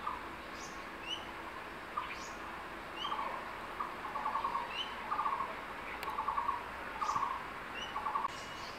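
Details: Calling for his incubating mate from the secondary-forest nest site, the male crested goshawk with a tree lizard gives a few single notes, then a run of rapid chattering bursts about once a second, with high bird whistles around.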